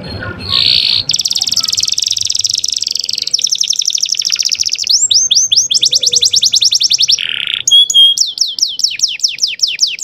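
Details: Young canary in full song, used as master song to rouse other canaries and bring females into breeding condition; continuous varied high trills, buzzy rolls and repeated downslurred whistles, changing phrase every second or two.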